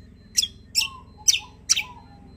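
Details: Greater green leafbird giving four loud, sharp, high chips at even intervals of about 0.4 seconds, with a faint lower whistle trailing some of them and a steady background hum.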